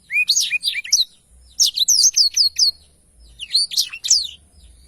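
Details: A Blackthroat pours out lively rolling song, three bursts of thin, high, sliding whistles and chirps separated by brief gaps.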